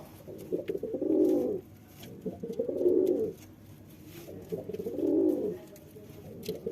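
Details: Male pigeon cooing to impress a female: three deep, rolling coos, each about a second long and swelling then fading, spaced roughly two seconds apart, in a quiet room.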